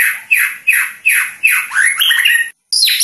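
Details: White-rumped shama of the Medan type, a caged competition bird, repeating a sharp downward-sweeping whistle about every third of a second, then breaking into a rapid, jumbled run of high notes.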